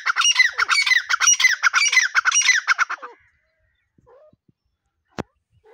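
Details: Grey partridges, a pair known locally as teetar, give a loud run of harsh, rhythmic squawks for about three seconds, then fall quiet apart from a few soft notes and one sharp click.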